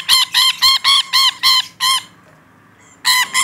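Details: Rainbow lorikeet calling actively: a rapid run of seven harsh, harmonic-rich squawks at about four per second, a pause of a second, then two more squawks.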